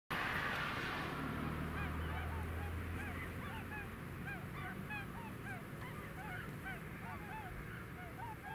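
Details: A flock of tundra (Bewick's) swans flying over the village of Brandwijk in the Alblasserwaard, Netherlands, keeps up a steady stream of soft, yelping, goose-like flight calls, several birds overlapping, over a low rumble of wind or distant traffic.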